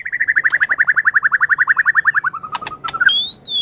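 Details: White-rumped shama of Medan stock, champion quality, singing for song therapy: a rapid, even trill of around thirty repeated notes that slows and falls, ending in a rising, thin whistled note.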